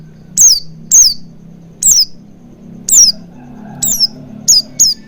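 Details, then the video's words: Oriental white-eye lure sound meant to trigger wild-style singing: seven piercing downslurred chirps, the last two close together, above a low droning hum. "Pancingan Burung Pleci Agar Cepat Ngalas & Buka Paruh Maksimal"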